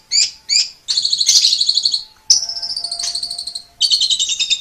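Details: Song of an Asian pied starling: two quick high chirps, then long buzzy rattling trills broken by short gaps, with a thin steady tone running beneath.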